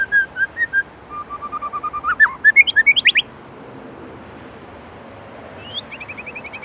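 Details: White-rumped shama, Indonesia, delivering varied 'isian' song: a few soft mid-pitched whistles, a steady run of low repeated notes climbing into a rapid rising series of sharp whistles, a pause, then a quick high chattering burst.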